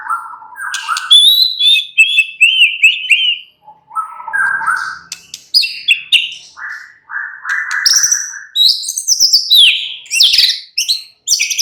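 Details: Caged white-rumped shama in full song, a fast medley of repeated whistled notes, stepped phrases at different pitches and high sharp chips, almost continuous for eleven seconds.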